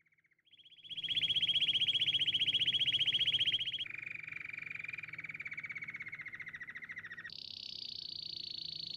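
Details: Canary song: a rapid, even trill that enters and swells, then drops abruptly to a lower rolling phrase, and switches to a higher, buzzier trill near the end. No other clear sounds.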